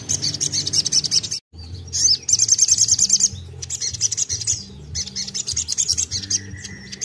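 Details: Crimson sunbird singing vigorously to encourage other birds to sing: long, shrill, rapidly pulsed trills in several bursts, broken by a brief silence, with a faint low hum underneath.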